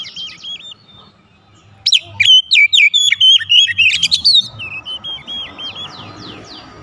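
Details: Oriental magpie-robin lure song meant to make other magpie-robins answer with full song: a soft opening, then a loud flurry of sharp whistles and twisting notes, settling into quieter looping phrases.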